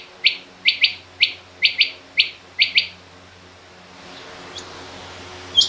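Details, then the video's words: Female rain quail calling within mixed quail calls that include king quail. Eight quick buzzy notes, mostly paired, over about three seconds. Hiss rises afterward, with a faint note and one final high note. "Female Rain Quail Calling"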